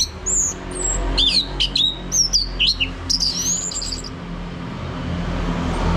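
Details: Song of an orange-headed thrush meant to trigger a male's singing, North Bali: high, sliding whistles and short twisting notes in a loose sequence over the first four seconds, with a low rumbling background.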